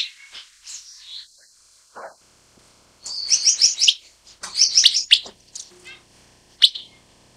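A broad-tailed paradise whydah gives two quick bursts of high, twittering chirps, then one sharp note. No other clear sounds are heard.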